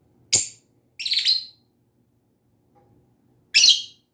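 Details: Pet lovebird chirping indoors: a sharp single chirp, a longer rough buzzy chirp, then another loud shrill chirp after a silent gap.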